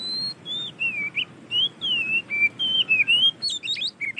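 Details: White-rumped shama (kacer) in loud, lively song: a run of clear whistled phrases, some sliding down and others rising, between 2 and 4k, ending in quick jumbled high notes; faint background hiss.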